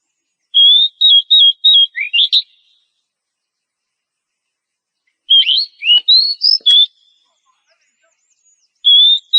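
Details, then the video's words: A female oriental magpie-robin in breeding condition calls the male with clear repeated whistles, a short wavering series ending in a quick upward sweep, a second varied phrase after a long silence, then a final steady whistle. "PANCINGAN KACER BAHAN AGAR CEPAT BUNYI NGEPLONG DAN GACOR"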